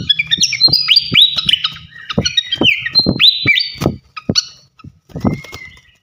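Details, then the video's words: Flycatcher song as a tutor recording: crisp high whistled phrases and sharp slurred notes in quick succession, interrupted by several loud knocking clicks and a brief lull near the end. "gacoan ngeplong masteran asah mental burung jawara khas srikatan kipas"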